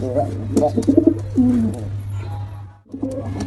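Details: Pigeons, male and female, make a few short low coos followed by one drawn-out falling coo, then a brief silence before soft cooing resumes, over a low hum.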